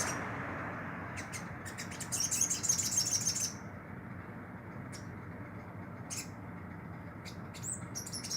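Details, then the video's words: Caged olive-backed sunbird beginning to sing frequently: a few scattered high ticks, then a thin, rapid, very high trill for over a second, followed by sparse sharp clicks and short notes amid low room noise. "Kolibri madu bahan rawatan mulai gacor"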